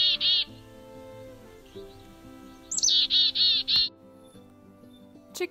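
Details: A Black-capped Chickadee in midwinter gives a high 'chick' and a run of four harsh, buzzy 'dee' notes, after an earlier lone buzzy note; more 'dee' notes signal greater alarm. Soft background music.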